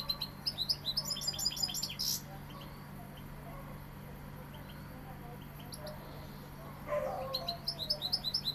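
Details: European goldfinch called Sevillian sings a quick tinkling twitter for two seconds, falls almost silent, then resumes the rapid high chattering song near the end; a brief muffled rustle and a steady low hum are heard.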